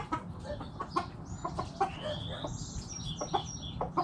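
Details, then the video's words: Backyard hens clucking: short, abrupt, irregular clucks in quick succession, with thin high whistled bird notes sliding in between and a low background murmur. "Backyard Chickens Making Noise! Hens Clucking Roosters Crowing"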